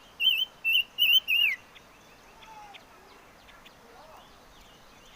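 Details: Chim ngũ sắc song opening with four bright, wavering whistled phrases in quick succession, the last sweeping downward, then fading into quiet with only faint distant notes and a brief final whistle.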